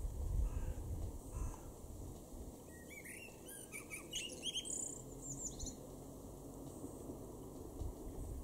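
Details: A male common blackbird in a garden in Weener, East Frisia, northwest Germany, in May 2021, gives a burst of quick, high chirping and twittering notes over about three seconds, against a low background rumble and faint hum.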